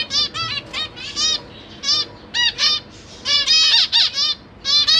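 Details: Caged zebra finch parents tending three juvenile and three newborn chicks, recorded September 2023: loud, well-spaced nasal beeps with strong harmonics, single notes and doubled pairs, a denser burst near the end.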